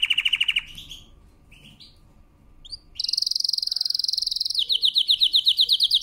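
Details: Canary singing a powerful training song: a short rolling trill, a few soft scattered chirps, then a rapid high trill shifting into a slightly slower run of repeated notes.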